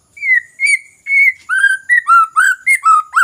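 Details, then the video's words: White-rumped shama song played as a lure to get reluctant birds singing: clear whistled notes, each slightly falling or rising, about two per second, starting high and then stepping lower, with no other sounds. "Pancingan MURAI BATU Bahan Malas Bunyi Paling Cepat direspon"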